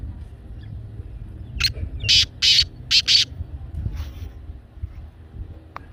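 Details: Black francolin (kala teetar), played to make a pet francolin start calling: one phrase of five harsh, grating broadband notes, the first short and the last two quick, over a low background rumble.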